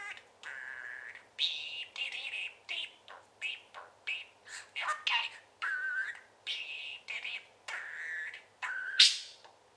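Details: A pet parakeet chatting and trilling steadily in quick, buzzy, warbled syllables and short trills, about one or two a second, ending in a sharp high squeak.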